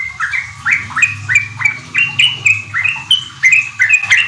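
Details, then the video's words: Sooty-headed bulbul in full song, used as a lure so untrained kept birds start riwik and ropel singing. Clear two-part notes, each dipping then rising, repeat about three times a second over a faint low hum. "Pancingan trucuk ampuh bikin trucukan bahan cepat riwik ropel gacor"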